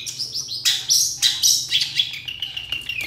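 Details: Long-tailed shrike singing to lure other shrikes into answering: dense, energetic chatter of high chirps, rasping bursts and thin whistled notes, uneven in rhythm, ending in a descending whistled trail, with a soft low hum underneath.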